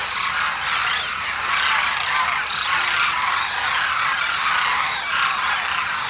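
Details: A large wild flock of demoiselle cranes, the koonj, congregates at Khichan, Rajasthan, on their wintering grounds. Many birds call at once in a dense, continuous chorus of overlapping rolling, croaking notes with no pauses.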